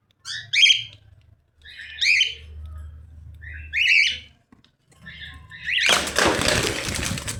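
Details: Three rasping cockatiel squawks spaced about a second and a half apart, then a softer call, before a burst of loud broadband noise at the end.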